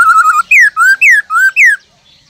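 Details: Caged black-throated laughingthrush in forest-voice song: a quick fluttering trill followed by four clear slurred whistles, alternating high falling and lower rising notes, sharp and loud.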